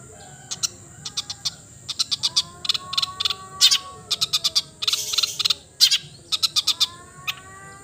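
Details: Cendet, the long-tailed shrike, giving fast harsh chattering bursts in short clusters, with soft drawn-out whistles running faintly behind and a brief louder rasp midway.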